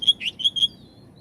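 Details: Brief Oriental magpie-robin phrase played so other magpie-robins will respond: four quick clear whistled notes, the second slurred, ending in a thin fading whistle.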